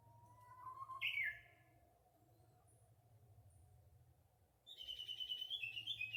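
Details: Japanese bush warbler singing in spring: a long steady whistle that swings up into a sharp falling flourish, then after a pause a rapid, rattling run of high repeated notes.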